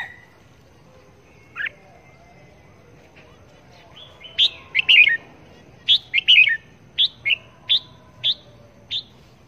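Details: A red-whiskered bulbul kept as a trapping decoy, tested hanging in place, gives short, bright chirps and warbled phrases in a loose series of about a dozen notes over several seconds, against a quiet background.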